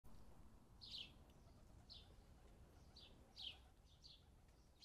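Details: Fledgling house sparrows at a garden bird bath during fledgling season. Short, high chirps come about once a second, sometimes two close together, over a steady low background rumble.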